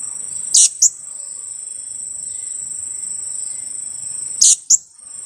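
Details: Two-week-old blue-crowned hanging parrot used as a decoy repeats a strident double kiak call twice, roughly four seconds apart, while a high insect whine runs underneath throughout.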